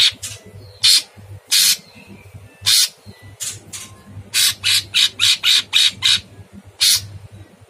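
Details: Very harsh-voiced Sooty-headed bulbul masteran: spaced single rasping notes give way to a fast run of about eight short grating bursts, then one final note, with a low background hum throughout.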